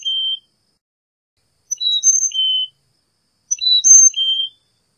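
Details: Carolina chickadee repeating a clear whistled four-note song roughly every two seconds, high and low notes alternating, nothing else audible.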